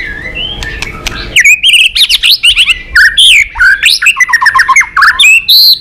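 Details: White-rumped shama singing hard to provoke a rival with tail-flicking, a fast, loud torrent of whistled and chattering notes after a quieter opening, the phrases jumping quickly in pitch.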